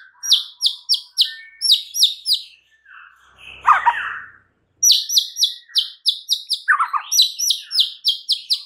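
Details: White-rumped shama lure song for provoking other shamas: rapid strings of sharp high notes repeated in bursts, broken by a short lower warbled phrase and a brief pause.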